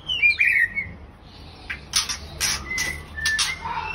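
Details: Caged breeding pair of white-rumped shamas: a few clear whistled notes near the start, then a run of sharp, scratchy broadband bursts, with faint whistles slipping in between.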